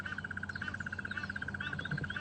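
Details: Two Crested Barbets calling frantically near their nest while a leopard is probably a few meters away, during a sunrise safari drive; rapid, even pulsed trill held at a steady pitch, over a low humming background.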